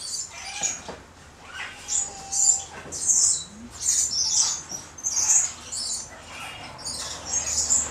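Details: Josephine's lorikeet (Charmosyna josefinae), recorded 24 August 2012, gives thin, shrill, high-pitched screeches in short irregular bursts, roughly one per second, with a faint low whistle in the background; Josephine's lorikeet.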